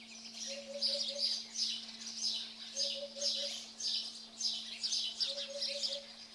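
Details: Eurasian hoopoe recorded at Radiquero in Aragon, repeating its low, hollow four-note 'oop-oop-oop-oop' phrase three times, roughly every two and a half seconds, under busy, bright twittering from other birds and a constant low hum.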